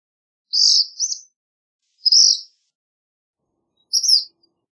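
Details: High, buzzy double phrase, then two single sharp notes spaced over about two seconds, given by a black phoebe against silence.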